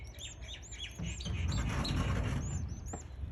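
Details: Canary chicks at day 11 being fed: high arched peeps in quick runs, partly masked midway by louder rustling and scuffling, with a few sharp clicks.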